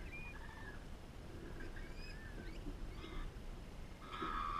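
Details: Lorikeets at a farm give thin squeaky chirps and short slurred whistles, ending in a harsher buzzy screech, over a steady low rumble of background noise.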